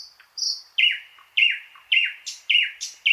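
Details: A thrush nightingale repeats a falling, slurred whistle roughly every half second, introduced by two high whistled notes, loud and clear against a silent background.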